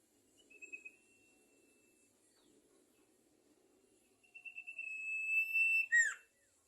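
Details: Sumatran leafbird (sirtu) singing vigorously: a long steady whistled note with a trilled edge, held about two seconds, later repeated and ending in sharp downward-sweeping notes; a faint low murmur underneath early on.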